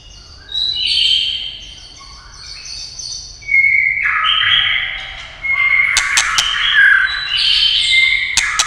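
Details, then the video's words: White-rumped shama prompted by tail-tapping sounds: drawn-out whistled phrases and blurred, varied notes in several bursts, with a few sharp clicks near the end. "chòe lửa tạch đập đuôi cạch cạch kích thích chòe lửa hót"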